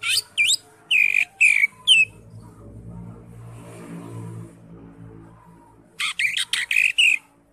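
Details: Greater green leafbird in ngentrok jambul full isian style: loud swooping whistled notes at the start and end, with a low rumbling background noise filling the middle pause.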